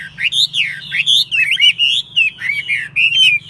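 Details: Chinese hwamei in a cage, praised for its fine voice and fighting spirit, sings loud swooping whistles that rise and fall in quick connected phrases, with short breaks between bursts and a low hum underneath.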